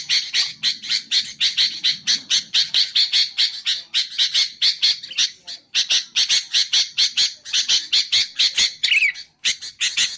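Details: Sooty-headed bulbul, played to lure wild bulbuls and to train birds: harsh, buzzy chirps repeated steadily about twice a second, high-pitched and broadband, with a brief rising note near the end.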